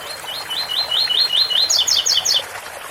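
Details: Ouro fino style song of a double-collared seedeater, given as 8x4 or 7x4, over a water fountain: evenly spaced upslurred whistles lead into four sharp, higher, falling paired notes.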